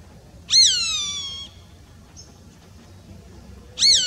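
A roadside hawk gives a harsh, nasal scream that jumps up, then slides slowly downward for about a second. A second scream begins three seconds later over faint background hiss.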